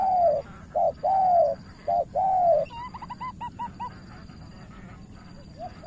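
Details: Decoy spotted dove in Cà Mau, Vietnam, calling at a wary rival. A paired short-then-long coo repeats three times, then another bird gives a quick run of higher chirping notes.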